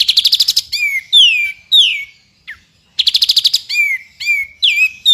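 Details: Tembakan from a white-rumped shama on a recording for training a champion bird: a quick series of chipping notes, loud downslurred whistles, a brief pause, then another rapid series and curling whistles.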